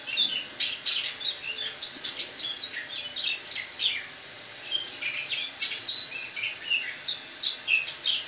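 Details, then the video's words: Eurasian blackcap kept caged indoors for winter, autumn song on 1 October 2017: continuous quick twittering with sharp high chips and short whistled slurs, a brief lull midway. "Осеннее пение славки-черноголовки (Sylvia atricapilla)"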